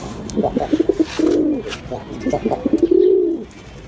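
Pigeons coo in low, throaty bursts, a run of short pulses twice swelling into a longer rolling coo.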